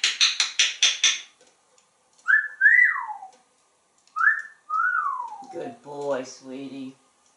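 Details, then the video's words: Male African grey parrot kept as a pet in Texas, whistling an original tune from a screen porch to serenade birds and squirrels: a few quick clicks, then clear sliding whistles that rise and fall, ending in a lower buzzy note. "Song Bird Serenade and Animal Talkin'!"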